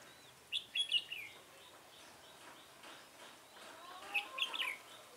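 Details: Red-whiskered bulbul, with a decoy used for trapping, 24 March 2018. One lively warbled phrase of rapid chirpy whistles opens, a softer pause follows, then a second similar phrase near the end.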